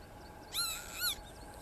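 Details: Northern lapwings calling in the background on machair grassland on Coll or Tiree, Inner Hebrides, Scotland, in May, where they are everywhere: two wheezy, slurred notes about half a second apart, each bending up then down, over soft hiss.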